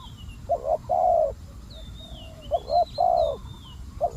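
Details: Calling spotted dove used as a decoy for attracting wild doves. It gives deep, soft coos: a short broken double note and a long sustained coo, with the phrase heard twice and starting a third time. Faint whistling of other birds sounds above.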